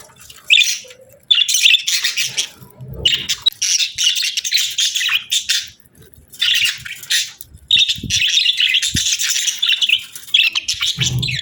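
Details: Several budgies warble and chirp in long scratchy runs of high, buzzy notes, pausing briefly between bouts; a soft low knock and a short lower note appear near the start and end.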